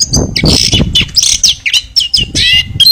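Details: Chestnut-backed thrush in dense, nearly continuous song: high twittering phrases, rising and falling whistles and rattly notes strung tightly together over bursts of low rumbling noise.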